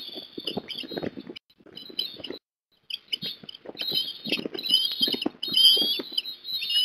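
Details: Osprey at Port Lincoln, Australia, on an afternoon in December 2021, around a fish delivery to a young bird; sharp, high, whistled calls come in bursts, with lower rustling and thumping sounds beneath and brief silent gaps.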